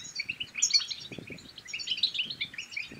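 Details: Brief burst of European goldfinch song, aimed at getting other goldfinches to sing and mate: lively high liquid twittering with a couple of piercing notes and soft low knocks.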